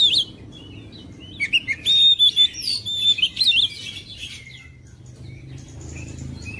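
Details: Oriental magpie-robin singing to rouse quiet, reluctant birds: a burst of high, clear whistles and rapid chirped phrases in the middle seconds over a steady low hum, then fading to softer, sparse notes.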